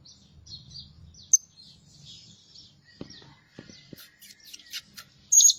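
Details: Lure-bird Blue-crowned hanging parrot, noted for calling by day and by night, gives scattered squeaky high chirps, then a sharp piercing call near the start and a loud shrill burst at the end, over soft low noise.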